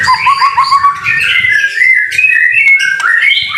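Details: Murai batu, or white-rumped shama, in energetic gacor song during rain: quick trilled notes that climb into sustained clear whistles, with a soft low rumble beneath.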